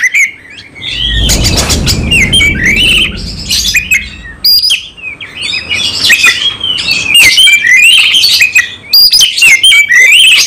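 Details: Oriental magpie-robin in combative singing mode, pouring out emotion with its full material: dense run of sweeping whistles, chirps and trills, with a burst of broad rustling noise early on.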